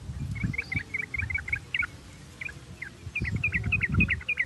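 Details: Sooty-headed bulbul, its song played to stimulate singing: lively bubbly chirps in quick succession, a quieter middle with a few scattered notes, then another fast run of slurred phrases over a low rumble.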